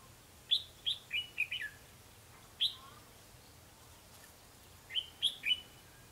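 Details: Red-whiskered bulbul fighting song at a trapping session, 21 December 2015; crisp, bright chirped notes in quick clusters of four, a single note, then three more, over a quiet background.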